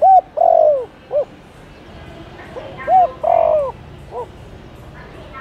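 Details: Spotted dove coos meant to draw wild doves closer, two phrases of short hoot, drawn-out buzzy descending croon and final note, the second softer with faint higher chirping in the background.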